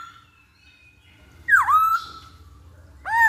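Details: Masked laughingthrush, used as a lure to get birds singing quickly: faint whistle, then a loud swooping note dipping and rising again, and a short downward-curving whistle at the end; faint low hum underneath.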